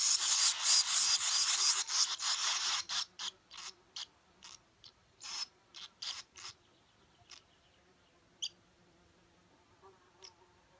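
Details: Swallow chicks begging while parents feed them: harsh, hissing broadband bursts, dense and loud for about three seconds, then separate rasping calls roughly every half second that grow fainter, with a few thin chirps near the end.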